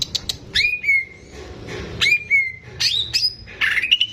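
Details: Caged greater green leafbird in full song, used to prompt young birds. Clear drawn-out whistles glide downward between short sharp chips, with a soft rumbling background.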